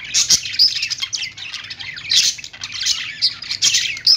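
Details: Morning calls of budgerigars: lively chatter of high chirps and short whistled squeaks in irregular bursts, with a few sharp clicking sounds between the louder calls.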